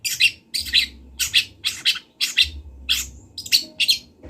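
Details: Long-tailed shrike from Kendal, used as master song for training birds, repeats harsh scratchy chirps nearly twice a second in a loose, uneven rhythm.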